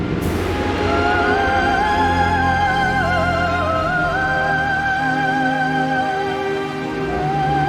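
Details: Orchestral music with a wavering, sustained high melody over low held notes and no animal sound.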